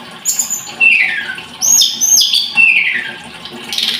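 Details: Scarlet-headed flowerpecker giving a few separated phrases, each a bright high whistle sliding steeply downward, with brief quieter gaps between them.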